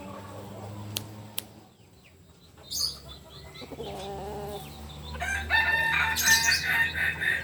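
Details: Kukuak Balenggek rooster, a biriang kuniang bird native to Solok, West Sumatra. Quiet opening with two sharp clicks, then a loud, harsh, richly layered crowing phrase swells in over the final two seconds. Faint chirps are heard earlier.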